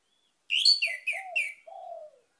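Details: Orange-headed thrush song used as a lure to get other birds singing: a burst of bright, warbled, slurred phrases, then two low, drawn-out whistles falling at the end, against a silent background.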